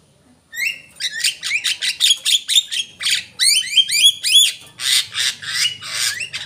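A Javan myna gives a rapid run of harsh, squeaky notes and rising whistles, about four a second, loud and high, with no other sounds.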